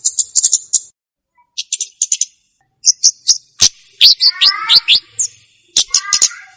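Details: Olive-backed tailorbird song offered as a lure and for tutoring young birds: very high clipped notes and short trill bursts, with lower chirps sliding downward mixed in midway and again near the end.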